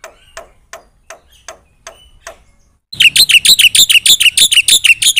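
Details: Black-winged myna in full 'gacor' song with fills: soft, scattered clicking ticks for about three seconds, then an abrupt switch to a fast, loud series of shrill, buzzy whistled notes repeated several times per second.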